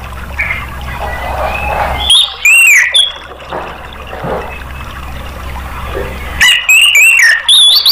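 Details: Orange-headed thrush song meant to prompt caged birds into singing: loud whistled swooping phrases with clicks in two bursts, a quiet noisy stretch between them, low hum underneath.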